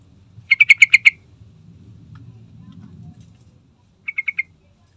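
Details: Sooty-headed bulbul singing, used to lure other birds into song: a loud rapid string of about six bright notes, a soft murmur, then a shorter, quieter four-note phrase.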